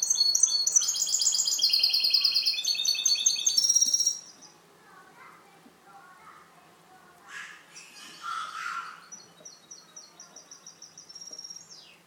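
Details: Goldfinch hybrid in captivity delivering canto limpio: about four seconds of loud, dense twittering trills, then a quieter stretch with a soft buzzy burst and a thin repeated high trill toward the end.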